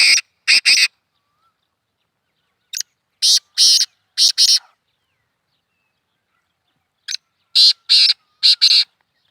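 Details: Black francolin calling, called kala teetar, recorded for hunting: three grating phrases of three to five harsh rasping notes, spaced a few seconds apart, each note short and loud.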